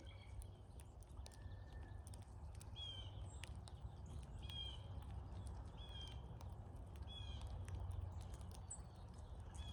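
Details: Cowbirds gathered in large numbers at a feeder during migration in North America, giving short, thin whistled notes that rise and fall, scattered among soft clicks over a steady low rumble of wind or background noise.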